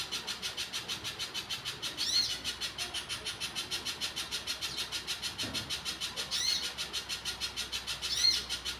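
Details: Little spiderhunter in the wild delivering a long, unbroken string of high, buzzy pulses at an even, fast rhythm, punctuated every few seconds by a louder, sharp upslurred note.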